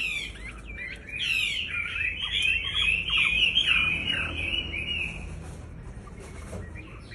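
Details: Sooty-headed bulbul in breeding condition pouring out a dense, continuous warbling chatter of tangled whistled notes for about five seconds, fading to a few faint chirps at the end.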